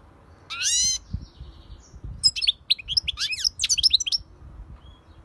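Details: European goldfinch singing: a bright rising note with stacked overtones, then a fast tumbling run of high twittering, buzzy and liquid notes, with faint low background rumble.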